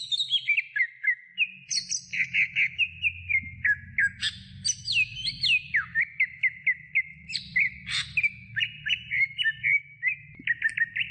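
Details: A greater green leafbird sings a training recording for other birds: fast, nonstop chattering whistles, repeated short slurred notes and occasional sharp high accents, with a soft low hum throughout.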